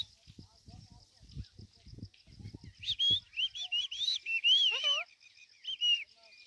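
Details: Talking pet Indian rose-ringed parakeet: soft low murmurs and clicks, then about three seconds of high warbling chatter with looping whistled notes, two quick dipping squeaks, and a short closing whistle.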